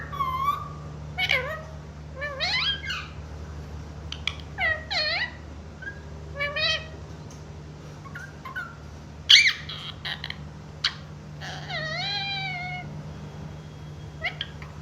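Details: Pet green parrot (tota) talking, said to say "mummy" and "papa": a run of voice-like, harmonic utterances that bend up and down, spaced by short pauses, over a steady low indoor hum.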